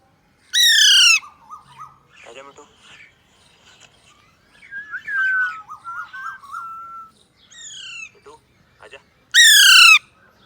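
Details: Alexandrine parakeet kept as a talking pet, playing with a mobile phone, opens and closes with loud raspy falling squawks, between them varied quieter chatter, warbled mimicked phrases and a level whistled note.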